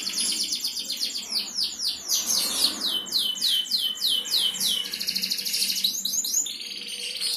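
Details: Prize-winning canary in full, energetic song used to provoke other canaries to sing: a run of rapid descending swept notes, then dense high buzzy rolls continuing steadily throughout.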